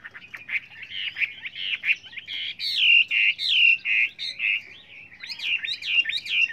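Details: A Chinese hwamei sings a varied, many-voiced song for training other hwameis: rich warbling whistles rising and falling in quick succession, with sharp chirps mixed between the phrases.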